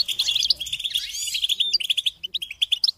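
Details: Goldfinch song for teaching chicks and songbirds, opening with a quick, jumbled twitter and a buzzy flourish, then breaking into a string of short, clipped chirps delivered in rapid succession.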